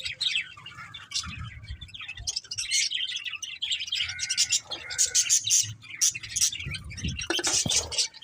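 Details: Several budgies chirp and warble nonstop, mixing scratchy chatter with short whistled notes, a cluster of sharp squeaks near the end.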